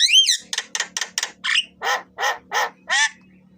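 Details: Javan myna singing, recorded as a lure to make other birds sing; one high squealing whistle opens a series of harsh, buzzy, evenly spaced chatters that grow broader and slower toward the end, with a low hum beneath.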